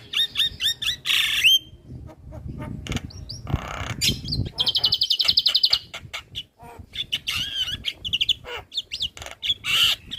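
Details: Javan myna in a lively training recording for other mynas: a varied stream of harsh rasps, clear whistles and clicks, with a fast buzzy rattling trill in the middle and squeaky rising notes toward the end.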